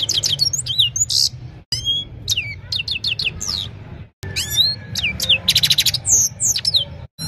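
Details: Himalayan goldfinch heard singing in the evening on a mobile phone: jumbled high twitters with downslurred whistles, short buzzes and rattling trills, separated by brief breaks, with a low hum underneath.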